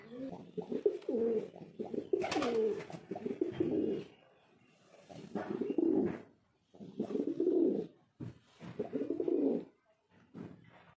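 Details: Male pigeon cooing repeatedly in a small room: a run of low, rumbling, rolling coo bouts with short breaks, and a brief scraping noise early on.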